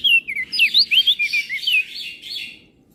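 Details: Flores crested white-eye singing a master song meant to teach other birds: a dense three-second burst of high, slurred whistles twisting up and down, closely packed, fading out at the end over a soft background hum.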